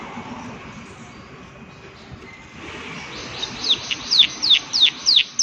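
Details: Prinia "klik klik" call: after several seconds of soft background noise, about seven loud, sharp, down-slurred high notes come in quick, regular succession.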